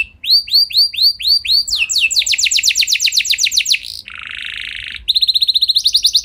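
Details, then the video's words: Canary singing a long roll to provoke other canaries to respond: evenly spaced curved notes, a rapid descending trill, a harsh buzzy section, then a quick high rattling trill. "Bakal Bikin Emosi Burung Kenari Lain Langsung Nyaut Gacor Ngeroll Panjang"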